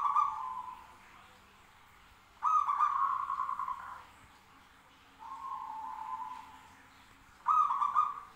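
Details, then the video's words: ['Zebra doves answering each other, trading rolling coo phrases. Bursts of rapid stuttered notes slide into a sustained purring trill, with loud and softer phrases alternating roughly every two and a half seconds over low background noise.'] "suara perkutut bersautan"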